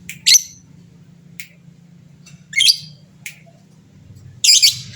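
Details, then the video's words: Lovebird of a fighter type, calling to make rivals answer; sparse harsh squawky chirps and thin clicks spread over several seconds, low hum in the background. "suara burung lovebird fighter gacor, cepat bikin lawan bunyi bersautan"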